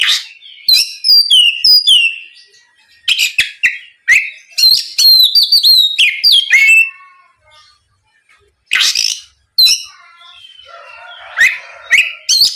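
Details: Oriental magpie-robin singing 'gacor ngeplong' to spur a rival magpie-robin to reply: long runs of bright varied whistles, quick trills and harsh notes in irregular phrases with short silent gaps, ending in rougher, lower scratchy calls.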